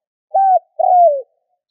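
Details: A spotted dove, kept as a decoy bird, gives two soft, low coos, the second longer and sliding gently downward; the call is meant to stimulate other doves to coo. Nothing else is heard.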